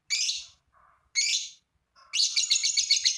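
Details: Lovebird in long 'ngekek' song meant to get other lovebirds singing: two harsh, screechy notes, then a rapid, continuous buzzy chatter of high pulses repeated several times a second.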